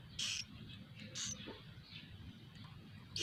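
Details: Swiftlet chicks inside a nest house, recorded from within the building: three short, harsh, hissing rasps about one second apart, with a steady low hum underneath.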